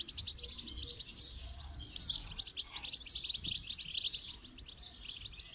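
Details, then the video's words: Singing goldfinch meant for song training, a soft, steady stream of high twittering and chirruping notes over a hazy background noise. "Motivational rewards for training goldfinch to song"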